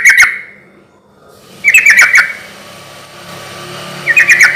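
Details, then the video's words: Sooty-headed bulbul song used as a lure so other bulbuls answer; short bubbly phrases of quick chattering notes come in three bursts separated by pauses, with a faint steady hum beneath. "suara trucuk gacor ini ahlinya bikin pancingan trucuk yg macet akibat ombyokan pasti nyaut bunyi"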